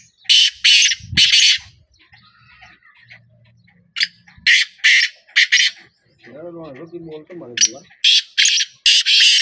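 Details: Black francolin calls in rasping bursts of three harsh notes, then several more grating syllables later, with a brief human voice and a low hum in the quieter middle stretch.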